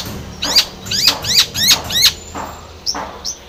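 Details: Chattering long-tailed shrike, played to provoke a stressed, silent shrike to sing: five loud, harsh, downward-sweeping notes in quick succession, followed by two thinner, higher calls.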